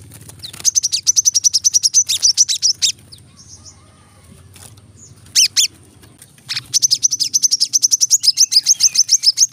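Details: Brown-throated sunbird in a masteran-style tutor recording for caged birds: two bursts of rapid, sharp, high chips, about four per second, separated by a quiet stretch with a few isolated louder notes.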